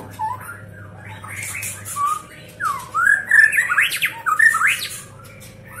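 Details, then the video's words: A Medan-type White-rumped shama sings at fast tempo, quick varied phrases of clear whistles and sweeping notes mixed with harsher squawky bursts, over a low indoor hum. "Murai Batu"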